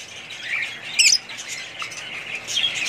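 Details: Budgies chatter quietly, then one gives a loud, harsh squawk about a second in, followed by more soft, high warbling.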